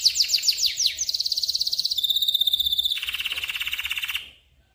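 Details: Canary song used as a tutor recording for other birds: falling sweeping notes, then a steady high trill, then a lower rapid rattling trill, each section evenly pulsed and clean.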